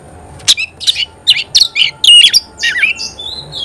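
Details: Oriental magpie-robin singing in gacor style, said to make other magpie-robins flare up. Separate notes sound about every third of a second: a mix of harsh squawky notes and short bright whistles, ending in a thin falling tone.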